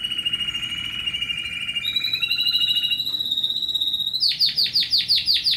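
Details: Timbrado canary, Athens, Greece, 2010, heard at selection ahead of training, sings a sustained rolling trill that steps upward in pitch, then switches to a fast series of sharp, descending chopped notes, with a faint steady background hum.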